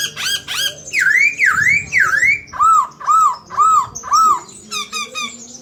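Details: Chinese hwamei singing persistently with murai imitations: loud repeated V-shaped swooping whistles, then arched whistled notes repeated about every two-thirds of a second, ending in quick high chips.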